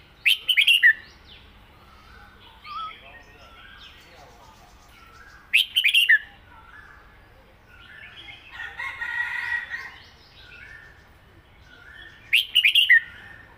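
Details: Red-whiskered bulbul, a caged songbird, singing a southern-style song called med kachik hok; loud, bright chattering phrases repeated about every six seconds, with softer warbled notes between, on a quiet background.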